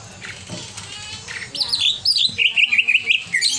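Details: Excitable greater green leafbird, described as over-emotional, giving a quick series of high, buzzy, undulating whistled notes after a quieter, noisy start.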